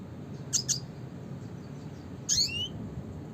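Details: Classic red siskin call: a quick pair of sharp, high chips, then after a pause one buzzy call with sliding strands, all over a steady low hum.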